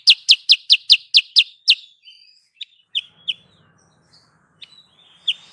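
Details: Sooty-headed bulbul lure for trapping: seven loud, evenly spaced downward chirps, then scattered soft notes and thin whistles over a faint low hum.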